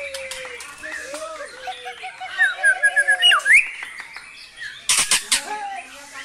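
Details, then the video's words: White-rumped shama singing vigorously, showing its song material filled with brantakan phrases: varied clear whistles, low sliding notes, then a rapid run of sharp high notes and a loud buzzy burst near the end. "Murai GACOR bongkar MATERI * isian BRANTAKAN"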